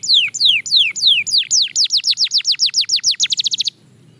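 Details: Belgian canary in song during daily training, evenly spaced descending whistles that quicken into a rapid rolling series before stopping abruptly.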